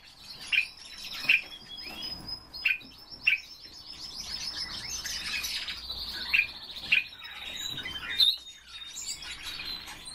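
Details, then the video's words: Captive pet common starling singing on request: a continuous jumble of chattering, rattling and whistled notes, punctuated by sharp clicks roughly every second, with a long sustained whistle near the end. "Sturnus vulgaris- СКВОРЕЦ"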